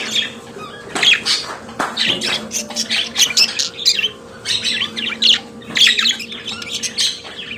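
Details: Pet budgerigar song of rapid squeaky twitters and harsh rasping notes in near-continuous bursts, one or more birds chattering together over a low background hum.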